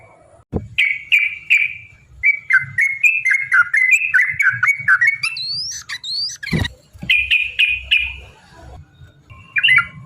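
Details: Yellow-vented bulbul song meant to provoke fighting rivals, used as a lure: lively gurgling whistled notes in rapid series, a few higher rising sweeps, a sharp click midway, brief pause and more bubbling notes.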